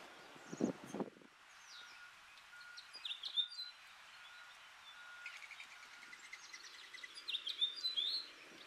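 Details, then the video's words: Male house finch in a yard, with a few dull knocks at first, scattered high chirps, then a rising, rambling warble of sweet notes toward the end. "House Finch singing in my yard."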